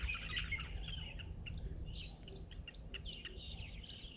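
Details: Brown-headed parrots on an overcast morning, 29 December, give quick, shrill squawks and chirps several times a second, loudest at the start, over a low rumble of wind or engine.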